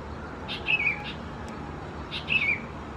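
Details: Sooty-headed Bulbul chicks recorded 17–20 June 2020 at a home in Khao Yoi, Phetchaburi province, Thailand: two scratchy chirps, each preceded by a short noisy burst, about 1.6 seconds apart.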